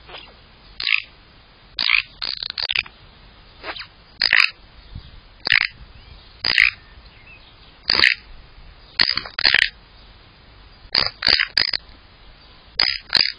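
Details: Magpie in a garden giving a long run of harsh, raspy chattering bursts, single and in quick pairs or triplets, roughly every second, with near silence between them.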